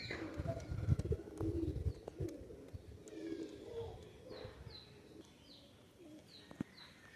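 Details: Pakistani high-flying pigeon, a young bird marked red on the neck, giving low, soft, murmuring coos in short bursts, with thin high chirps from other small birds repeating in the background and a steady low rumble.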